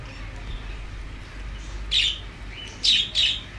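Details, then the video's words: A lonely budgerigar gives three short, scratchy, high chirps, one alone then a quick pair, against a quiet room hum. "lonly budgie"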